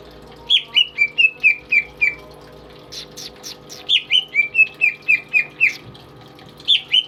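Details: Tame pet greater green leafbird singing persistently, kept as a tutor for other songbirds: runs of seven or eight clear downslurred whistled notes, delivered about four per second, separated by a pause with a few sharp clicks and a faint steady hum.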